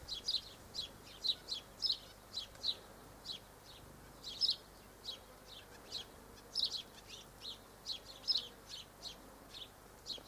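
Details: Small, high-pitched nasal chirps from double-barred finches, filmed 1 December 2013, come in irregular bursts of two or three notes, steadily repeated against a quiet hissing background.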